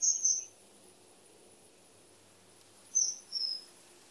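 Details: Common kingfisher: a shrill double whistle at the start, then after a quiet gap a second pair of high piercing notes, the second lower, against a faint hiss.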